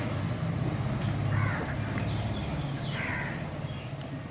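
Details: Crow calling outdoors: two harsh, hoarse caws about two seconds apart, drawn out and slightly falling, over a steady low rumble like passing traffic, with faint chirps of small birds in the background.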